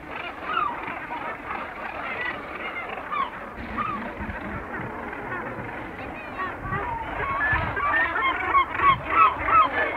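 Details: Busy gannet colony at medium close range: continuous rasping, overlapping calls from many birds, with nearby herring gulls giving loud, slurred, downward cries and kittiwakes calling in the background.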